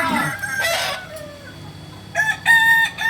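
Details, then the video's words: Kokok Balenggek roosters practising their crow in Amko, Solok city: short bursts of crowing at the start, a quiet gap, then a loud stepped crow with clear harmonics near the end. "Latberan ayam kukuak balenggek"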